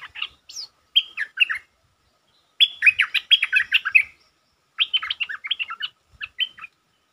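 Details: Stripe-throated bulbul, a provoked territorial resident bird, singing in the 'sap rik' style used as lure sound: bursts of quick, bubbly, warbled notes, grouped in several phrases separated by short pauses, with no other clear sounds.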